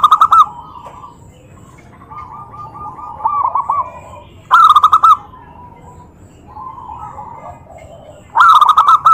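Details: Provocative calling of a zebra dove that makes other doves answer: loud bursts of fast rolling coos alternate with quieter, drawn-out trilled phrases and pauses.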